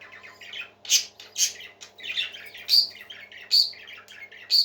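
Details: Parakeets kept as pets singing a scratchy, chattering warble punctuated by loud shrill calls roughly every half second to second.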